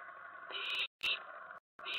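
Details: Owlets in a nest around 2 AM on 10 September 2017 while adults bring mice; a long rasping hiss is broken by abrupt silent gaps, then a short sharp burst and another hiss.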